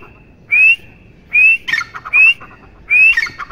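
A partridge gives four loud, clear, rising whistles, about one every 0.8 seconds, with harsher chattering notes between them.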